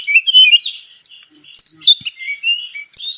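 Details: Oriental magpie-robin lure song, used to provoke other birds: a varied run of high whistled phrases, some slurred and rising, broken by short scratchy notes, with steady faint background hiss.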